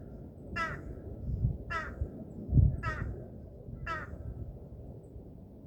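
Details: A bird calling while moving its whole body, head, beak and tail, gives four harsh, cawing calls, each brief and about a second apart, over a low rumbling background.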